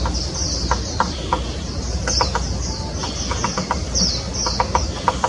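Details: Grey-capped pygmy woodpecker in Taiwan, 2016: thin, high buzzy calls repeated through the clip, fairly faint over a strong low rumble, with scattered sharp clicks.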